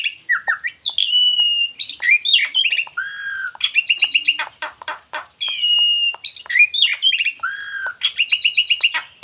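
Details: Black-winged myna from Cianjur delivering a loud mixed song of harsh squawky notes, clear whistled slurs and dense broadband chatter bursts, alternating rapidly with short pauses.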